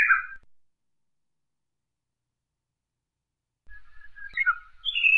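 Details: Japanese bush warbler: a phrase ends abruptly, then after a long silence a new phrase of quick, varied whistled notes rises to a high, clear ending.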